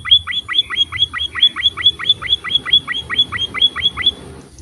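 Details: Emprit, or Pipit finch, singing: a brisk sequence of sharp, high, slightly slurred chips, around two per second, trailing off near the end into quiet low background noise.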